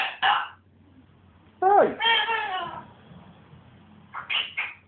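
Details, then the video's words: Pet African grey parrot acting a bit mental: a sharp squawk, then a long drawn-out tonal wail that dips and rises, followed by a few clipped squawks near the end. "my mad parrot"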